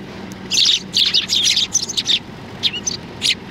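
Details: At Tenmangu shrine on 16 January 2020, sparrows arriving to be fed give short clusters of bright, scratchy chirps, then a few scattered single notes.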